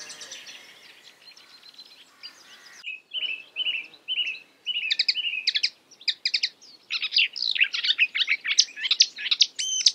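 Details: Marsh warbler mimicking other birds: a buzzy, scratchy opening followed by a rapid sequence of repeated short whistled notes and trills, the phrases changing every second or so.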